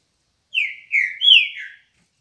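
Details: Green-winged saltator singing in the morning: a short, loud whistled phrase of three slurred notes, the first two falling and the last rising then gliding down, over a silent background.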